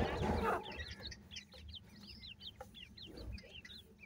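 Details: Black francolin chicks calling: a rapid, uneven string of thin, high peeps, each sliding downward, after a loud rough burst at the start, with low rumbling handling noise.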